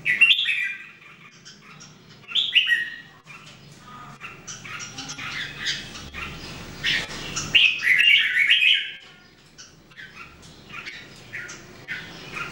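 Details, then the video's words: Red-whiskered Bulbuls, three birds in everyday singing training recorded in 2018. Whistled, warbling phrases come in uneven bursts, mixed with rustling and scattered clicks. "Training Jambul birds singing everyday 2018"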